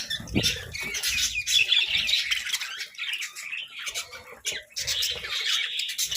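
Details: Budgies munching on vegetables while chirping; busy overlapping warbles and squeaky chirps, a few clearer rising whistled notes early on, with intermittent low bumps from feeding.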